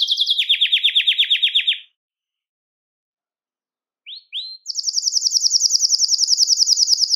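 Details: Belgian canary singing to stimulate males and bring females into breeding condition; a fast trilled roll of rapid notes, then a gap of about two seconds, a few rising chips and another long high trill.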